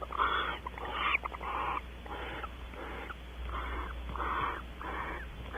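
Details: Barn owls at Audubon Starr Ranch, California, mating on a porch: a rhythmic run of quiet, wheezy hissing bursts, about one and a half per second. The first few are a little brighter and rougher.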